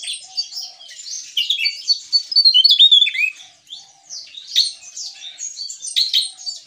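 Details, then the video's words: Javan tesia in vigorous gacor ngeplong song: a rapid jumble of thin, high, slurred whistles and chips, building to a loud run around 2–3 seconds, then a short pause and renewed chattering, with a faint low hum. "Burung TESIA JAWA Gacor Ngeplong"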